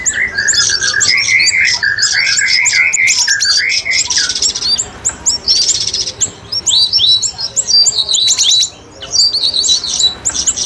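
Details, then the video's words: Streak-eared bulbul song on a lure recording used for trapping birds: bubbly, warbled phrases at the start, then a dense mix of rapid high chirps and tweets from other birds throughout. "pikat burung siri siri,cucak rawis paling ampuh"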